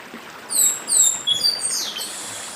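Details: Chestnut-bellied seed finch from the Brazilian Northeast singing its dedim song: a few clear, high descending whistled slurs in quick succession over the steady rush of a stream.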